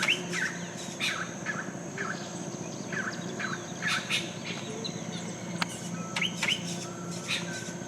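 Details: Yellow-rumped caciques at a settlement colony in Colombia, giving a busy chorus of short rising whistles and buzzy chattering notes repeated through the recording, with a steady background hum.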